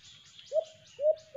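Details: Alimokon, the white-eared brown dove, at a cage-trap hunt: two drawn-out low coos and the start of a third, over faint higher bird chatter.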